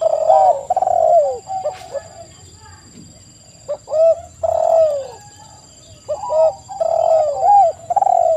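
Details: Spotted dove in full song, used as a lure to make other doves answer: mellow low coos in phrases of several notes, some overlapping as if more than one bird calls, with pauses between bursts and a faint steady high whine behind.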